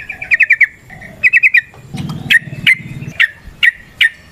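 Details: A yellow-vented bulbul gives 'ngalas ropel panjang' song to draw other bulbuls into singing: short rapid chatter bursts, then single sharp downslurred notes spaced about half a second apart.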